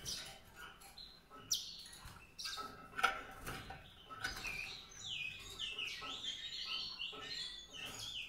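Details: White-rumped seedeater song starting with scattered sharp chips, then turning into a continuous warbling run of rising and falling whistled notes.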